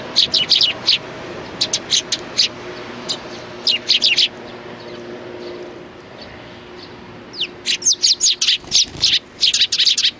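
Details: Sparrows recorded 29 May 2019, bursts of quick sharp chirps in clusters, pausing around the middle before a busy overlapping chatter resumes, with a faint low hum underneath.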